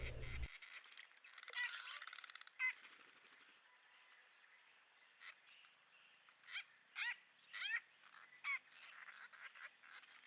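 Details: A gang of Racket-tailed Treepies at a forest pool in Huai Khayeng Nature Park, Kanchanaburi, Thailand, in March, late in the day, gives harsh, rasping, nasal calls in short one- or two-note bursts about a second apart over steady hiss.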